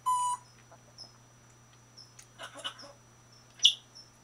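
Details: A caged 21-year-old female African grey parrot, April 2011, sharing quarters with other parrots and a cockatiel: an opening pure whistled note, then scattered squeaks, clicks and a sharp squawk near the end over a constant low hum.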